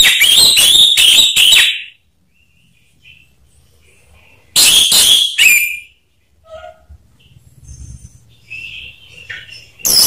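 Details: Lure recording of orange-headed thrush song to provoke singing: rapid series of loud, buzzy, scratchy notes in two bursts, several per second, with quieter distant chirps and twitters in between.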